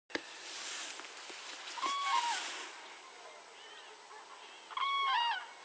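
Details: Common crane recorded at 52.196522, 19.804122: two loud, ringing trumpeted calls with bright stacked overtones, each dipping slightly at the end, about three seconds apart over a quiet hiss with faint background sounds.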